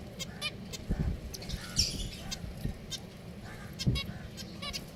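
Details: Pet finches give short, nasal, buzzy calls in quick bursts, several per second and at uneven intervals, over a steady low rumble of background noise.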